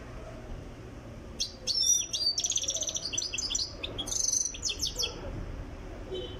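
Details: European goldfinch from Tiaret, Algeria, in song training, delivers a continuous stretch of rapid, high tinkling twitters and buzzy trills lasting about four seconds, then falls quiet.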